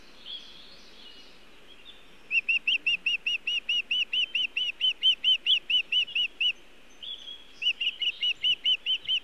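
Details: Osprey visiting its nest in Montana on 1 June 2017 around 18:14, carrying nest material rather than fish: faint calling at first, then a fast string of about seventeen piercing whistles, a short break, and seven more.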